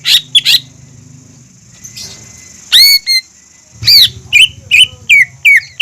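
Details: Greater green leafbird song meant to coax a learning leafbird into singing: loud whistled, sharply slurred notes in short bursts, several downward-sweeping whistles in a row near the end, over a faint steady background hiss.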